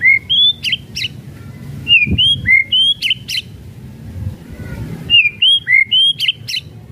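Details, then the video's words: White-rumped shama kretekan, used as a lure to provoke singing: bright high whistled notes and crisp clicks in quick groups, the phrase repeated three times. "KRETEKAN MURAI BATU MEMANCING EMOSI"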